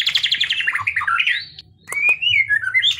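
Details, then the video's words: Kretekan song of the white-rumped shama, recorded to provoke and teach song: a descending string of rapid chirps, warbled slurs, a brief gap, then a flowing rising-and-falling whistle. "masteran murai batu kretekan pancing emosi"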